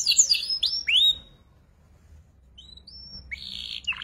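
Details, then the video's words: Young canary learning ngeriwik song, used to tutor magpie robins and kacer: a few loud swooping whistles, a pause, then soft thin rising whistles and a short buzzy phrase. "PANCINGAN KENARI PAUD BELAJAR NGERIWIK"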